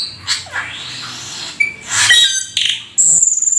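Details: Vigorous Black-winged starling, called rare and exotic, singing full isian: scattered harsh squawks and a brief whistle, then loud rasping bursts ending in a sustained high whistled tone.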